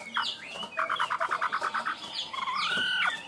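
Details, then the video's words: Tame caged Chinese hwamei in 'cao cầu' singing: a quick burst of about ten identical clipped notes at mid pitch, framed by sliding whistles, with background noise throughout. "Chim họa mi thuần, hót tốt, hót cao cầu"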